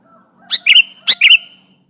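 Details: Sooty-headed bulbul song used as a trapping lure to press a rival; two quick bursts of bright, chirpy notes about half a second apart, each with a sharp accented peak, over a faint low hum.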